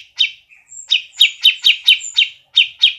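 Grey-cheeked bulbul giving a quick series of harsh, down-slurred chattering notes, several each second, with a few thin, high whistles in between.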